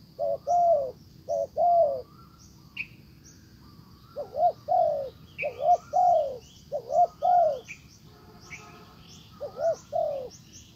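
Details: Decoy spotted dove calling to draw in a wild bird: soft low coo phrases, short paired notes followed by a drawn-out falling coo, with a pause mid-way and faint high chirps of other birds in the background.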